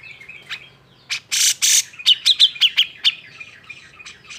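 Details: Cucak jenggot agitated song meant to provoke other birds into singing: a harsh rasping burst followed by a rapid run of about seven sharp chips, then softer notes.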